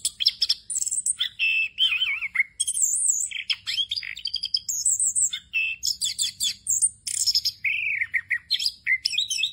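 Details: An orange-headed thrush, a Southeast Asian forest songbird, sings a rich, continuous rolling song of high whistles, trills and warbled phrases, tumbling rapidly without pause.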